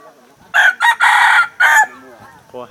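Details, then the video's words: Decoy red junglefowl rooster used to lure wild junglefowl, recorded in 2019 at Sông Mã, Sơn La, Vietnam: a loud, harsh crow in four bursts, the longest drawn out in the middle, then quieter clucking noises. "Qaib dib - gà mồi 2019 qaib qus tsuam muaj dib tuaj zoo heev"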